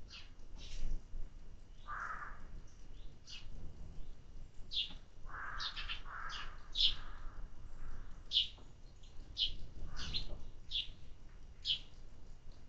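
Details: Sparrows fed in summer give scattered high chirps about once a second, mixed with a few lower, softer sounds and a constant low background noise.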